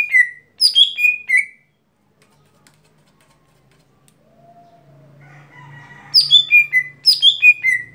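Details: Lesser green leafbird in its everyday song, giving rapid cascading phrases of sharp notes falling in pitch at the start and end, while a rooster crows and a low hum fills the middle.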